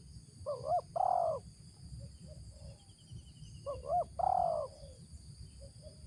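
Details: Spotted dove decoy bird with a 'ngeruk' style voice repeats its phrase twice about three seconds apart. Each phrase has a quick double note and then a long, drawn-out hoarse coo. Softer coos follow in between.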